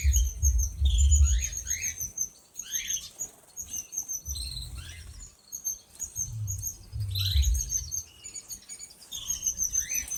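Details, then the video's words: Several canaries in an aviary, singing together: bright high trills and rapid twittering phrases, with repeated short rising notes overlapping one another, alongside low rumbling and fluttering background noise. "Canarios en la voladera"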